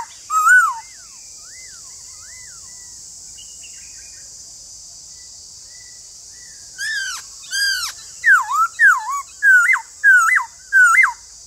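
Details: Song of a white-cheeked laughingthrush: an opening loud slurred whistle, quiet arched notes, then a rapid series of loud, clear notes repeated roughly every half second, each dipping and rising, against steady hiss.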